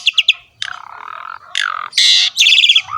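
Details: Lively ngerek singing of a Javan pied starling: three quick high clicks, a long raspy buzzing note, a nasal squawk, a loud harsh shriek and a fast chirping trill.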